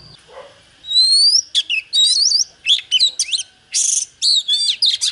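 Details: Oriental magpie-robin in a song duel with a wild bird: a long rising whistle, then fast sequences of slurred whistles, trills and a harsh buzzy burst.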